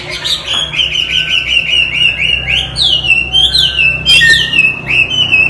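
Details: Loud song of a Chinese hwamei kept as a cage bird: a run of rising and falling whistled notes repeated in bursts, some sharp upward sweeps, over a faint low hum.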